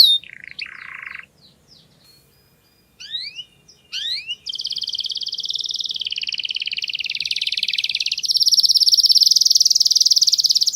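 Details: Canary masteran song with a very clear voice: short scattered whistles and upslurred notes with pauses, then a long unbroken rolling trill that grows louder and rises slightly near the end.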